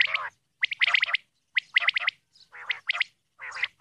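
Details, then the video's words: A female Common Quail, recorded as a calling sound used for quail hunting, gives harsh, nasal notes in quick bursts of two to four, about one burst per second, with quiet gaps between. "Female Quail Calling Dhoghla Batair ki Awaz"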